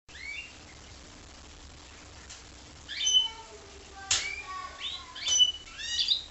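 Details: Goldfinch × canary hybrid giving scattered high notes: short rising whistles and brief chirps, mostly after a quiet first three seconds, with a few sharp clicks between phrases.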